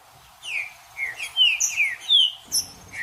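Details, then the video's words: Green-winged saltator (trinca-ferro) song played to warm up a caged bird: loud, clear whistled phrases of descending and rising slurred notes, rich and varied, in a brisk sequence with little background noise. "MELHOR VÍDEO PARA ESQUENTAR TRINCA FERRO FRIO 2024 TRINCA FERRO JUDAS"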